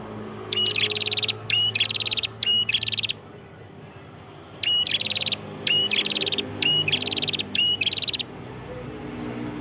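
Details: Red-headed prinia in full song, Ngawi, East Java: loud bursts of rapid, buzzy trilled notes, each burst opening with a short whistle, delivered in groups separated by brief pauses and one longer silence.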